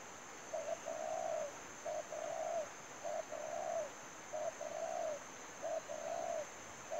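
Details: Spotted dove used to lure others into a trap, cooing steadily: six phrases in quick succession, each a short clipped note followed by a longer falling coo, over a continuous high whine.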